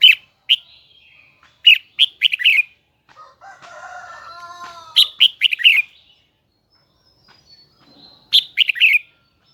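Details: Kept red-whiskered bulbul, Huế type, in high doubled twisting song: clusters of sharp bright whistled notes at the start, middle and end, while a lower, stacked, harmonic call runs through the middle.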